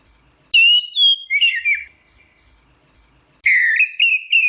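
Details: Orange-headed thrush in teler song, a tumbling run of descending whistled notes followed after a pause by a loud, warbling phrase of wavering whistles.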